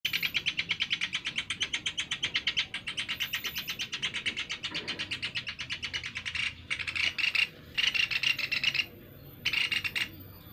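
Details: Sunda pygmy woodpecker call played as a bird-catching lure: a long run of fast, dry, high rattling notes, then separate short trilled bursts near the end.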